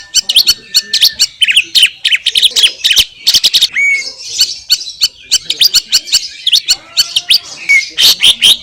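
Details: Clear masteran song of a greater green leafbird recorded in Indonesian nature: rapid, scratchy bursts of high chattering notes with occasional short whistles, delivered almost without pause.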